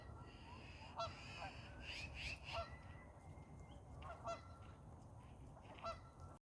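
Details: During a duck fight, scattered brassy honks ring out irregularly, with a few softer squeaky notes between them, over a low droning background.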